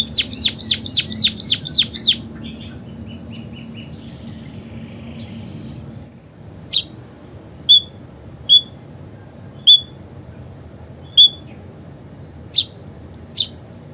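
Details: Munia singing canary imitations: a quick run of about eight falling whistled notes, soft twitters, then quiet pauses broken by single sharp high chirps roughly every second.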